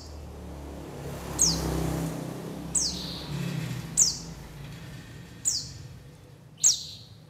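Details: White-eye call played as a lure for trapping and to get birds singing: five sharp, very high notes that slide steeply downward, about one every second and a half, over a steady low rumble.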